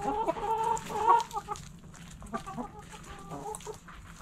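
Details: Hens in a backyard coop give a run of loud, ringing, tonal clucks at the start, then softer, spaced clucks fading over a low background hum.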